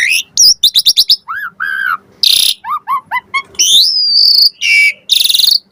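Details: Asian pied starling song used as a lure to make other starlings answer, full of varied fill phrases: quick buzzy chips, falling whistled slurs, harsh noisy bursts and a long rising-then-level whistle, delivered in rapid varied sequence.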